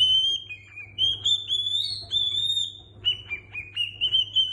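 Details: Pet cockatiel singing a learned human melody: clear whistled phrases of sliding and stepped notes, some rising and held, with short pauses between phrases; a low steady hum sits underneath.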